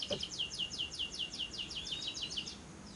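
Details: Ngekek trill of a lovebird, used as a lure to make lovebirds sing: a quick series of high downslurred notes, roughly five per second, fading toward the end.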